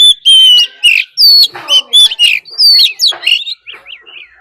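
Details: Oriental magpie-robin used as a decoy, fighting song plus a wild female's call: loud, ringing whistles and slurred phrases in quick succession, fading into softer short notes near the end.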